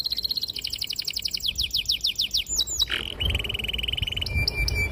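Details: Canary in full, long song used to lure young birds into singing: a run of quick downslurred whistles falls in pitch, then gives way to a steady, fast rolling trill and a brief higher phrase.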